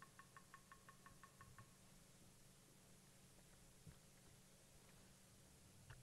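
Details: At sunrise on 8 August 2017 at Djuma Game Reserve, a Bearded Woodpecker knocks in a quick, even burst of about ten raps lasting under two seconds, near a hyena den where a mother hyena nurses young. A steady low engine hum runs underneath.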